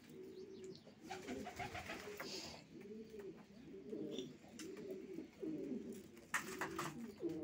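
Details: Racing pigeons giving low, repeated rounded coos roughly once a second, with occasional sharp taps and clicks in the loft.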